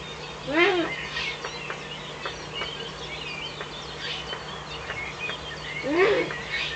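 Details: At an Eifel nest at dawn, 17 May 2013, 05:40, a Eurasian eagle-owl gives two rough, arched calls near the start and end, while songbirds sing continuously and a faint hum runs beneath, another owl visiting off camera.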